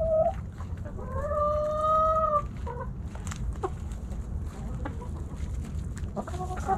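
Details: Backyard chickens snacking at Thanksgiving, hens and roosters; a long, steady, strongly harmonic drawn-out call lasts over a second, then scattered short clucks follow amid low rumbling noise.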